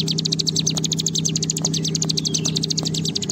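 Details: Bar-winged prinia delivering a fast rattling 'ngebren' trill: crisp high clicks packed tightly in a continuous run, a few faint lower ticks scattered through, over a persistent low mechanical hum.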